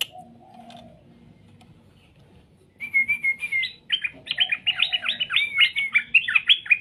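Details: After nearly three seconds of near-quiet, a straw-headed bulbul bursts into a loud, fast, bubbling warble of slurred whistled notes that continues to the end.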